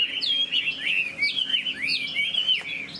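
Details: Singing cage-kept Chinese hwamei with spread tail, showing off with wing movements; sweet whistled phrases sliding up and down, delivered in quick bursts about once a second, each note clear and ringing.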